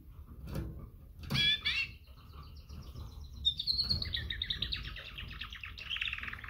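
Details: Female canary giving a mating call to males: a bright chirp, then a long run of rapid buzzy trilled notes sliding gradually lower, with low background rumble throughout.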